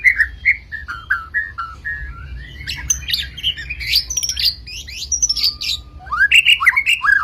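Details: Murai batu, the white-rumped shama of Medan, sings a rich, varied song: a sequence of short downslurred whistles, then a dense burst of rapid high sweeping notes and trills, finishing with looping whistled phrases.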